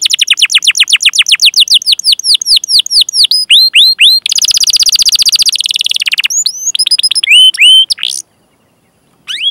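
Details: Canary song with rolls for training young or silent canaries: fast descending trills, a harsh buzzing rattle, scattered sweeping whistles, then a short silence before more whistles.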